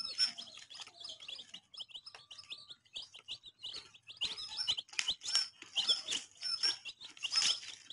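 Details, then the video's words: A lively group of baby chicks chirping almost without a break: high, short, falling peeps overlapping in a busy chorus that grows louder at times. "Chick Chirping"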